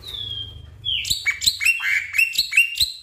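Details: Black-winged myna song used as a prompt for a stressed caged bird that will not sing. It opens with a long, gently falling whistle, followed by varied chirps and squeaky notes.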